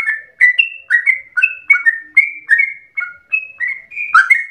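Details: Yellow-vented bulbul in full song, a long rapid run said to resemble a straw-headed bulbul: loud, rich whistled notes, many slurring downward, delivered in a steady string of about twelve notes over under five seconds, with no other sounds.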